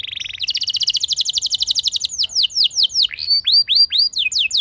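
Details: Canary singing 'gacor ngerol' style as a lure for other canaries: a fast chattering trill runs into a stream of swooping downslurred and upslurred whistles, clean and loud.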